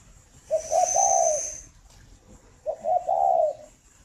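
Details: Spotted dove singing in the morning, two soft cooing phrases about two seconds apart, each a short lead note followed by longer, slightly wavering hollow coos, over a steady high hiss and low background rumble.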